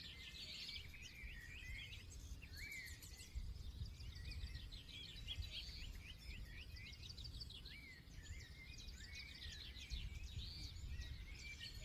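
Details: An extended forest dawn-style chorus. Many birds overlap with rapid high twitters, scattered rising whistles and warbled phrases, continuous throughout, with a steady low rumble underneath.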